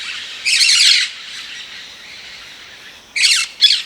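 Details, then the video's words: Rose-headed parakeet giving harsh, broadband squawks: one long burst near the start, then two shorter squawks close together at the end, with faint background hiss between. "Rose headed Parakeet Bird Sounds"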